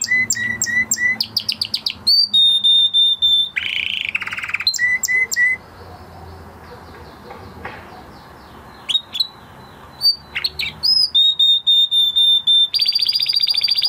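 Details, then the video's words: Male canary after moulting sings in bursts of chips, whistled notes and buzzy phrases, with a long pause of low background noise in the middle before singing resumes. "Canary Trying To Unlock His Full Singing Potential Part 2 - Canary Singing Video"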